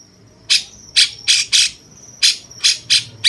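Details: Cucak cungkok bulbul with jenggot character, a tutor recording for champion songbirds; eight loud, scratchy, buzzy notes delivered in two loose groups roughly every third of a second, with a faint high whine between.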